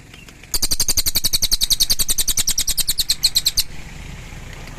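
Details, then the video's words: Pygmy tit (cililin) delivering a sustained, rapid chatter of shrill, scratchy notes lasting about three seconds, rhythmic and slightly uneven, then falling silent. "Suara Cililin"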